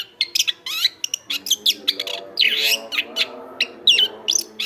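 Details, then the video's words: Lively Chestnut-backed thrush song used as a model for other birds: a varied run of clear whistles, buzzy notes and a denser warbled passage midway, with quick upslurred notes near the end over a faint background hum. "ANIS KEMBANG GACOR"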